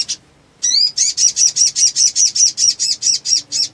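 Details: Black sunbird (Leptocoma aspasia) singing vigorously: a brief rising opening phrase, then a fast run of thin, high, sharp notes, about four each second, with nothing else competing.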